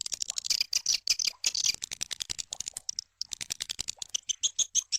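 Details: Swiftlets in an SP Sanro lure track meant to draw birds in: a dense, rapid train of dry clicks and ticking chirps, nearly continuous with one short gap, all high and crisp.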